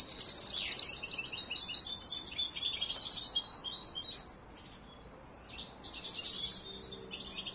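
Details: Young European goldfinch, not yet a finished singer, opens with a loud, quick trill and downward slide, then keeps up softer twittering that drops to near silence before resuming with a brief louder phrase.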